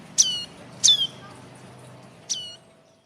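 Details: Juvenile red-headed tailorbird (prenjak kepala merah) begging, used as a trapping lure: three high, shrill chirps sliding downward, the first two close together and the last after a pause of over a second, against low background noise.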